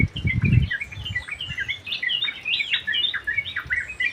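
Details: Yellow-vented bulbul song in an aviary, bright slurred whistled notes tumbling in quick overlapping bursts, with a brief low thump at the start.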